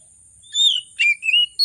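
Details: Agitated oriental magpie-robin singing vigorously, a lure to spur reluctant magpie-robins into song: a clear high whistled note sliding downward, then two short twittering phrases, over a steady high-pitched background whine.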